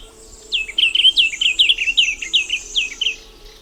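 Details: Song of a diademed tanager (white-capped tanager): rapid run of bright, high downward-slurred whistled notes, roughly eight to ten in three seconds, with faint low hum behind.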